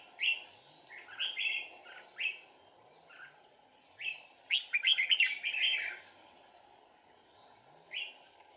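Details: Trapping decoy red-whiskered bulbul on 4 April 2019 giving sharp whistled notes, then a dense tumbling warbled phrase, then more spaced single whistles. A low continuous hum sits in the background.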